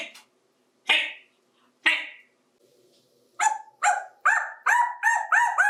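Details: A 28-year-old male African Grey parrot, talking to toys in a bathtub, gives two sharp clicks. Then comes a quickening run of six or seven short, clear "Hi"-like syllables at steady pitch.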